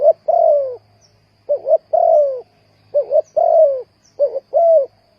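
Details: Spotted dove calling as a trapping lure: three clean phrases, each a quick double coo followed by a longer, drawn-out falling coo, low and mellow, with short pauses between phrases and no other sounds.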